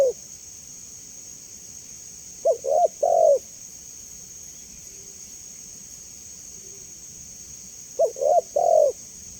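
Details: Clear spotted dove calls, offered as a master and lure sound that doves respond to quickly: a low stuttering coo phrase near the start of the second, another near the end, with silence and constant high hiss between.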